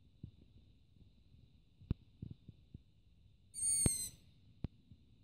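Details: Long-eared owl chick on a roof at night, calling to be fed, recorded on a phone; a short, wheezy, high-pitched squeak lasting half a second, surrounded by scattered faint taps and clicks.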